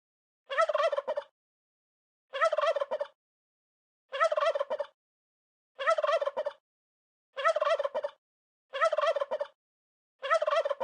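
A turkey gobbles over and over, each rattling, bubbling burst lasting under a second and coming about every one and a half seconds, with silence between.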